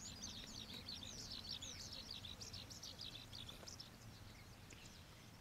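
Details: Common waxbill, an introduced escaped cage bird, foraging at the Old Iron Bridge wetland in Taiwan; dense chatter of high, thin chips and short downslurred tzip notes, overlapping from several birds, with low rumbling background noise.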